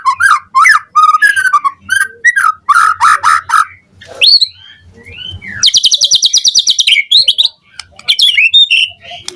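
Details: Morning song of a white-rumped shama, mixing lower warbled phrases, sweeping whistles and a long, fast, buzzy trill of high repeated notes, closing with looping whistled notes.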